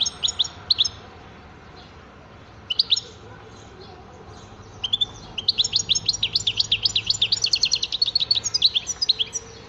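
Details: European goldfinch opening with scattered chirps and long pauses, then launching into a sustained, rapid tinkling twitter that fills the last few seconds.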